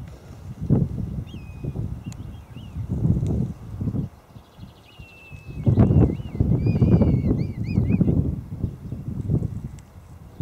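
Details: Wild red kites flying and calling: several thin whistled calls, drawn-out notes followed by wavering trills, over heavy low wind rumble throughout.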